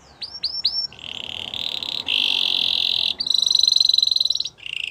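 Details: Singing canary giving three quick rising-falling whistles, then long steady rattling rolls at shifting pitches, ending in a rapid pulsed trill and a short low roll, over a faint hiss.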